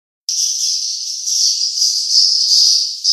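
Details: Swiftlet calls played to attract swiftlets to nests: a dense, unbroken high chirping chatter that starts abruptly and holds steady for three seconds, with no low sounds beneath.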